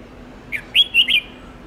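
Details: Red-whiskered bulbul song used to train young birds, a long multi-note style: a short, clear phrase of three or four loud whistled notes, the first dipping and the last sliding downward, against a quiet background.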